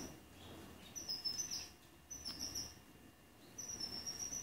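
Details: Young male canaries, bred in 2019 and learning song in an aviary alongside six adult tutor males among 28 pupils, sing thin, very high, rapid trills in three half-second bursts over soft room hiss.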